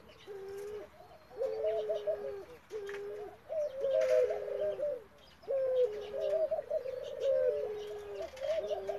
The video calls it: F1 Ringneck Dove-European Turtle Dove Hybrid Coo sound and Excitement Sound